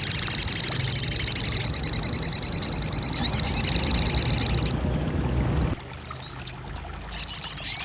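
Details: Crested jay, used to get a silent bird singing: a long, fast, high-pitched rattling trill that breaks off into a near-quiet stretch with faint notes, then resumes.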